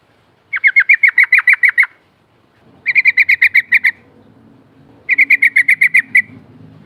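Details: Lure recording of sooty-headed bulbul 'ngerol' rolling song meant to provoke a reply: three bursts of rapid, evenly repeated bright notes, about nine to eleven per burst, separated by pauses of about a second, over a soft low background hum.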